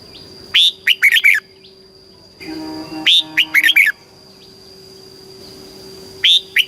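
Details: Caged red-whiskered bulbul from Thailand in southern master-style song, played to excite and train birds: three short bursts of four or five loud warbled, slurred notes, about three seconds apart. A steady faint whine and a brief low hum sound beneath.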